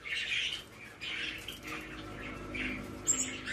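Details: Hand-tame White-bellied caique chick, male, Fukuoka, Japan, 17 May 2024, producing a few short hoarse squawks separated by brief pauses, ending with a thin high squeak, against quiet indoor hum.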